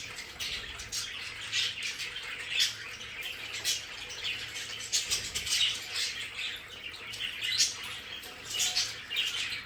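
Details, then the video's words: Pet budgerigars in their home play area, continuous busy chattering of scratchy chirps and warbles from several birds, with brief wing flutters. "Sonidos de periquitos Australianos"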